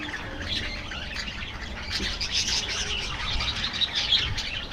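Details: Budgies calling as a colony in an aviary: a steady mix of high twittering, short rising whistles and scratchy squawks, many voices overlapping, with a faint low background rumble.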